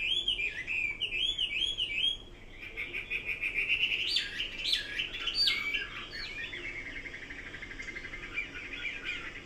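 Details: Chinese hwamei song starting with a series of looping whistled notes, then shifting into varied chirps and a softer, buzzy fast-trilled ending.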